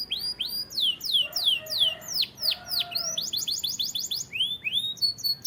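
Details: Canary song, described as Spanish timbrado style, used for training: rapid series of descending whistled sweeps and fast trilled rolls, some lower liquid notes mixed in, bright and high-pitched throughout, continuous phrases changing every second or so.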